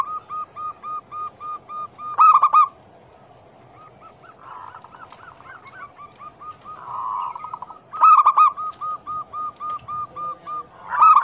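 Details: A local zebra dove, said to be a female calling the male, recorded as a lure for doves that have stopped singing: long trains of quick soft coos punctuated by three loud, buzzy, stuttered bursts.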